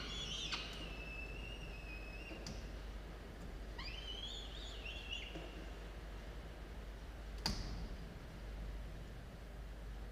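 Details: Falcon chicks at a nest watched by camera, dawn of 27 October 2022, with a long drawn squeal at the start, a second rising wavering call a few seconds later, scattered knocks and a loud click amid low hum.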